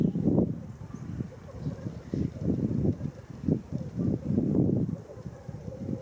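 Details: Black grouse at a lek at World's End, Wales, in April 2017: a low, rolling bubbling chorus that swells and fades in pulses every second or so, with some wind in the background.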